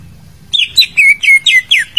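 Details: Greater green leafbird song meant to prompt a silent bird to sing, a quick series of sliding whistles dropping in pitch, each note repeated in rapid succession after a short quiet start with low hum beneath.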